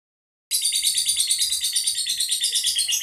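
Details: Lovebird of the monic type, a caged competition bird from the Boyolali-Solo area, known for long drawn-out trilling; a continuous dense high buzzy trill begins after half a second of silence and runs unbroken, rapidly pulsed, to the end.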